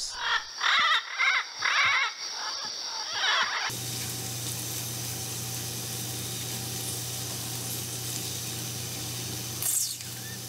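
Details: Yellow-naped amazons give harsh, squealing squawks in quick bursts at their roosting site at dusk during the nesting season in Guatemala, then give way to a steady hiss and low hum.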